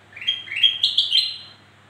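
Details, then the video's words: Black-crested bulbul singing, meant to lure lazy singers into answering; one quick phrase of liquid notes that rises step by step and then trails off, about one and a half seconds long, faint hum behind. "Suara Burung kutilang Emas Untuk Memancing Bunyi Burung Malas Bunyi"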